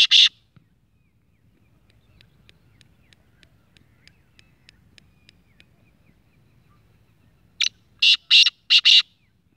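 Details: Six-month-old black francolin of the speeder type: a loud rasp opens, faint regular ticking fills a long gap, then a full short-cut phrase of five harsh rasping bursts closes the sequence.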